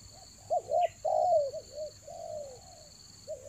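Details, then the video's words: Decoy spotted dove at Toba, rainy season, utters a low coo sequence of quick double notes and a long drawn-out falling note, with a small chirp and a steady high-pitched whine in the background. "TEKUKUR PIKAT RAJA ANGGUK"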